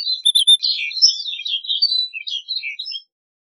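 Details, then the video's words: Continuous rich warbling from a snow bunting, a tumbling stream of high chirps, trills and twittering notes lasting about three seconds before falling silent. "Snow Bunting Song! Snow Bunting Call!"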